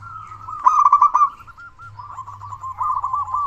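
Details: Local zebra dove singing with a strong voice, used as a lure to rouse quiet or stressed doves into song. One loud, rapid trilled coo gives way to softer rolling notes, then a renewed stuttering phrase.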